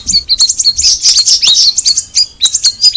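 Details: Cucak rawis (Straw-headed Bulbul) singing a dense run of bright, high chirps and quick up-slurred whistles, with several brief loud bursts of overlapping notes through the middle.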